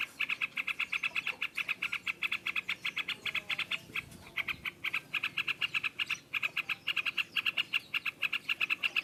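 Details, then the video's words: Yellow-vented bulbul with a loud "ngropel" song. Dense runs of rapid, evenly repeated bright notes are broken by a few short gaps and go on throughout. "Burung trucukan ngropelpelpel keras"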